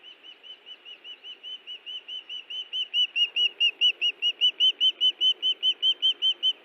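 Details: Osprey pair defending their nest at Hellgate Canyon, Missoula, Montana, June 18, 2017, on a nest camera: a rapid, regular series of high whistled chirps, about two per second, growing louder and more insistent throughout.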